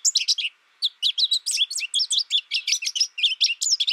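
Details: Captive American goldfinch raised alone through its first year, having learned from a recording with no contact with other birds. It gives a loud, fast, continuous twittering of high, sharp chirps and warbled notes with a brief pause near the start.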